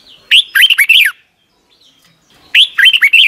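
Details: Red-whiskered bulbul song from Thailand, played each morning for young caged birds to copy. Two quick, bubbly phrases of slurred whistles, each preceded by a thin high note, about two seconds apart.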